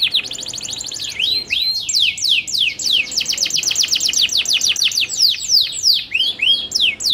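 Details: Local canary sings an ornate, nonstop run of bright, high trills and quick sweeping whistled notes tumbling from one rapid phrase straight into the next.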